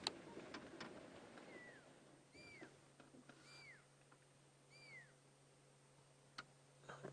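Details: Wild fork-tailed drongo on an afternoon safari drive, 26 June 2016, mimicking the high whistle of a pearl-spotted owlet to chase other birds from the area: four clear whistles, each rising then falling, about a second apart, over a steady low engine hum and scattered clicks.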